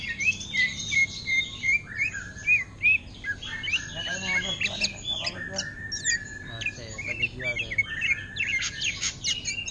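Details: Caged greater green leafbird singing orange-headed thrush style, starting with clear repeated whistles, then a jumble of clicking, chattering and high warbled notes, with faint voices.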